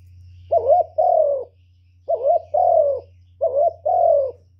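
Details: Spotted dove decoy bird cooing to lure wild doves: three paired phrases, each a short wavering coo followed by a longer, smooth, slightly falling coo, repeated about every one and a half seconds over a steady low hum.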